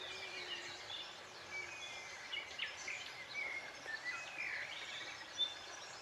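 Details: Nest colony of sand martins by the Gállego river near Zaragoza in June, giving scattered short rasping chirps and brief twittering notes at irregular intervals against a constant broadband environmental hiss.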